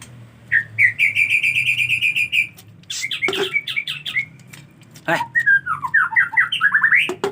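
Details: Song of a white-rumped shama in the rainy season when bathing is hard: a steady fast train of identical buzzy notes, then chattery zigzag phrases with sharp clicks and a rising run of slurred whistles.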